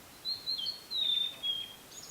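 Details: Blue-and-white flycatcher singing in a prefectural forest at Yaita, Tochigi, Japan, recorded with a camera and external microphone: clear whistled phrases of slurred, falling notes around four kilohertz in four bursts, ending with a faint high note.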